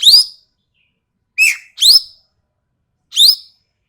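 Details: Sumatran ekek keling giving sharp, harsh calls: loud upward-sweeping rasping notes mixed with a shorter lower clipped note, four calls irregularly spaced over about four seconds.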